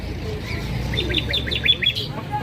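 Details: Common nightingale (hazar dastan) giving a rapid burst of short high chirps and clipped whistles in quick succession, against low background rumble.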